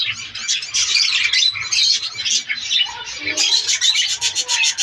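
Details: Budgerigar breeding colony in the breeding season: a dense, continuous chatter of many birds, with overlapping high warbles, squeaks and short chirps and no pauses. Faint low-pitched noise sits beneath the chorus.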